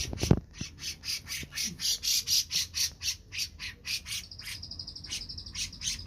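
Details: Grey-cheeked bulbul in a lively 'riwik plong' style: rapid, harsh, buzzy chattering notes repeated about twice a second. Near the end comes a sustained high whistled note. A few low knocks sound at the start.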